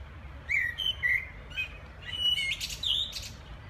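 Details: Common blackbird singing in the background, recorded on a phone: short warbled and whistled phrases near the middle pitch range with higher twittering notes, over steady low background rumble.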